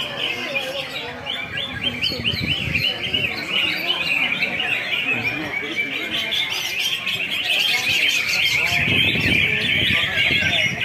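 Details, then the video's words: Greater green leafbirds at a songbird singing contest pour out fast, high, chattering phrases of whistles and trills, several birds overlapping, with a murmur of crowd voices beneath. "ADU KWALITAS CUCAK IJO JUARA"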